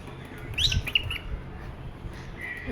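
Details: A pet cockatiel, said to be jealous when its owner touches ducks, gives a few short, harsh chirps, then a brief steady whistled note over low room rumble.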